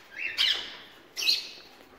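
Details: A ringneck parakeet kept for breeding among mixed birds gives two loud, harsh screeches about a second apart, each a rough, buzzy burst that fades quickly.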